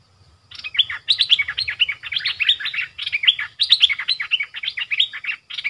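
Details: Caged streak-eared bulbul used as a decoy for wild bulbuls, giving a long, loud string of quick chattering notes, sharp and chirpy, pouring out almost without pause after a short silence.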